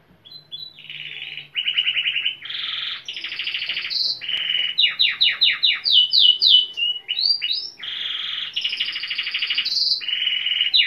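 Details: Timbrado canary, said to be aroused for mating, sings loudly and continuously: fast buzzy trills, ringing rolls and rapid repeated rising notes, all high-pitched, with no other sounds.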